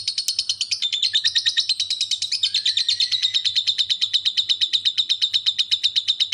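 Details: Lovebird giving its ngekek, a long unbroken trill of rapid harsh notes at a fast, tight pace, used as master training audio; a faint steady tone and low hum run underneath.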